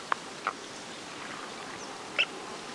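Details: Andean coot at Lago San Pablo, Otavalo, Imbabura, Ecuador, giving three short, sharp clicking notes, two close together and a higher one after a pause, over a steady outdoor hiss.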